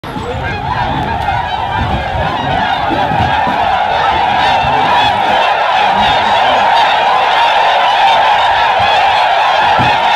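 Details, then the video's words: Huge flock of wild Tundra swans at Aylmer Wildlife Management Area, Ontario, Canada, on March 18th 2017, spooked by a deer and taking off; dense, continuous chorus of overlapping honking, bugling calls from many birds with no pause. "Huge flock of Tundra swans taking off"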